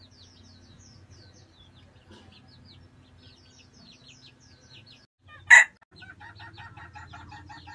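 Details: In Vietnam, a red junglefowl gives a harsh, pulsing, rooster-like crow near the end after a sharp click, while thin high chirps of small birds fill the first seconds.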